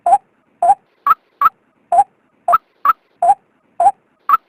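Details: Female white-breasted waterhen call used as a lure for males: rhythmic short croaks, a lower bent note paired with higher notes, about two each second, against a quiet background.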